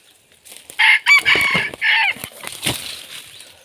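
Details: Red junglefowl crow from a decoy bird used to lure wild junglefowl: a loud, harsh, multi-part crow with a sharp opening note and broken, ragged phrases lasting about two seconds, then fainter rustling and a short clucking note.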